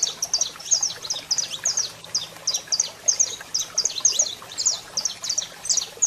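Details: Male saffron finch singing alongside a calling female, played to excite other birds; quick, sharp, high chirps delivered in rhythmic pairs and triplets, about three groups per second, over a faint steady hum.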